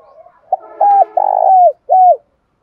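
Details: Spotted dove giving urging 'thúc' calls and coos to call a house bird, which coos back strongly. A single phrase: soft notes, then clipped coos and a drawn-out, slightly falling coo, ending with one more short coo.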